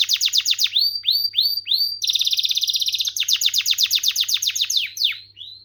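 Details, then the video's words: Canary in full song: repeated downward-sweeping whistles, then a rapid high buzzing roll, followed by quick falling slurred notes, ending in a soft rising whistle. "كناري مذهل و تغريدة رائعة / Amazing canary and wonderful tweet"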